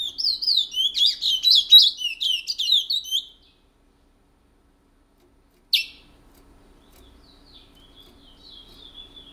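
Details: Picolette, a long-lived pet seed-finch kept since 1986 in French Guiana, delivering its Matiti regional song: about three seconds of quick, bright, tumbling notes, followed by silence, a single sharp click and a faint thin whistle.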